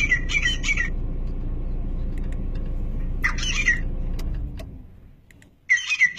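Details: Grey francolin in Pakistan, heard while it is being hunted: short, sharp, high call bursts at the start, mid-way and at the end, over a constant low rumble of a vehicle engine that fades out.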